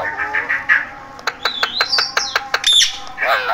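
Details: Indoor parrot voice: nasal, speech-like syllables, then a run of sharp clicks and high whistled notes, ending in a harsh squawk.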